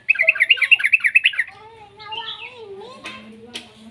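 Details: Young yellow-vented bulbul, used to lure other bulbuls into singing: a fast burst of buzzy, chattering notes for about a second and a half, then softer drawn-out lower tones with a few sharp clicks.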